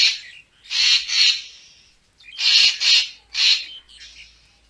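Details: Racket-tailed treepie, recorded for luring birds for photography: two drawn-out grating bursts, a brief pause, then three more harsh calls ending in softer trailing notes.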